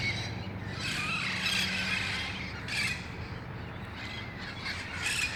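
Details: Red-faced parrots, wild, gathering at dusk in El Cajon, August 1, 2018, before their nearby roost; scattered harsh squawks in a few loud bursts, with quieter gaps and a low rumbling background.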